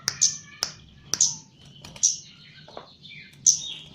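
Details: Javan chestnut-capped thrush in training, delivering quick bursts of shrill, ringing notes with clicks and brief whistled slurs, a fast, busy stretch of varied high song.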